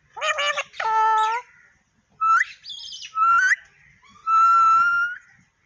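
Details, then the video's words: Parrot talking at home: two buzzy, rich-toned phrases, then short rising whistles, a fluttering high note, and a long, steady, clear whistle near the end. "Tota Boltay Huay Kesa Lag Raha Hai _Totay Ke Awaz"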